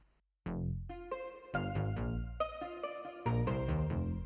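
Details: Electronic synthesizer music with bright stabbed chords and a low bass line plays after a short silence, with no animal voice present.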